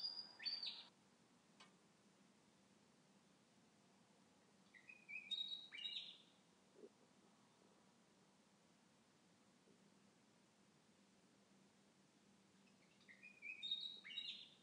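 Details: Bird whistling through the night near a window, with occasional breaks: brief high, thin whistled phrases every few seconds, separated by long quiet gaps with a low background hiss.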